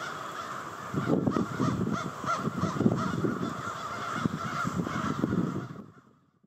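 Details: Enormous crow flock arriving to roost at night in Victoria Park, Charlottetown, Prince Edward Island; a massed chorus of caws with strong low rumbling noise, ending abruptly in silence.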